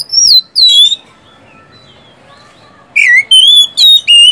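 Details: Oriental magpie-robin giving gacor siulan whistles to coax idle caged birds into song; two clear descending whistles, a long quiet gap, then several ringing slurred notes.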